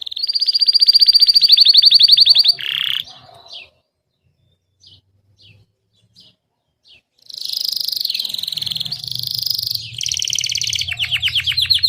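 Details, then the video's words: Powerful song of a Gray Belgian canary, meant to get a quiet pet canary singing; long fast pulsed trills, a gap with soft clicks, then varied rolled and buzzy trills with a low hum beneath. "Coloque Esse Canto de Canário Belga Cinza e Veja o Seu Cantar em 5 Minutos!"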